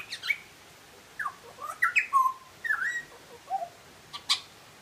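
A butcherbird sings short, fluty whistled phrases with sliding notes, some rising and some falling, separated by brief pauses, with a few sharp clicks.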